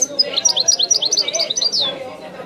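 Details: European goldfinch song: a quick series of high, thin, twittering notes, each a short down-slurred chirp, over a steady low hum.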